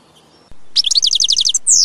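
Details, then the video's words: Short European goldfinch phrase in nature: a series of about nine rapid, bright chirps in even rhythm, followed by a thin descending whistle, over low background rumble. "Birds Singing - European Goldfinch"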